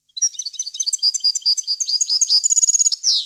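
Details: European goldfinch song recorded for teaching young birds and goldfinch hybrids to sing: a fast run of bright twittering notes, trills and clear whistles, ending in a buzzy rasping note, no other sounds.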